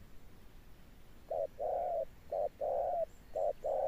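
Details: Spotted dove cooing in the thunder-toned 'âm sấm' style: after a quiet start, short and drawn-out low hollow coos alternate, three pairs, with faint high chirps near the end.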